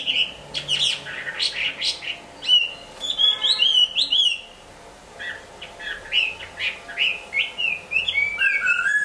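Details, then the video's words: Hwamei, kept in a cage while moulting, sings varied bursts: quick sharp sweeps, a warbled whistled stretch, a pause, then rising repeated whistles and a falling lower phrase at the end. "Hoạ mi hót khi đang thay lông"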